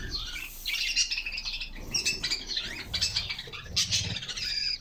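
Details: Canaries hopping and singing inside their cage in summer sunshine, several birds at once: a dense, jumbled high twitter of chirps and trills over faint low rustling.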